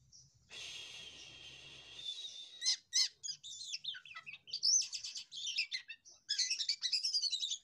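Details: A kept Javan pied myna (jalak kapas) sings a varied, fast medley: a harsh rasping stretch, then sharp chirps, clicks and high whistled phrases tumbling over one another.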